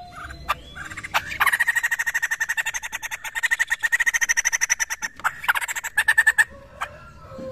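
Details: Poksay laughingthrush recorded as a lure sound: a few sharp clicks, then long bursts of rapid, evenly pulsed harsh notes broken by a brief pause before a final run, in a quiet room.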